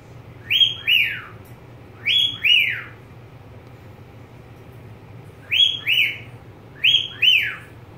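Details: Caged pet budgerigar whistling double descending notes with bright overtones, four pairs with a longer pause midway, low hum underneath.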